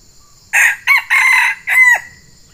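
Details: Red junglefowl from Sumatra crowing during trapping with a fighting decoy bird: a loud four-part crow, a harsh opening burst, a short note, a long sustained middle phrase, then a falling final note, over a steady high insect hum.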